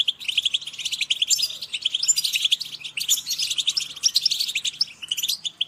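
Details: A busy group of European goldfinches calling at once, a steady mass of sharp, high twittering notes with brief louder flourishes, unbroken from start to finish.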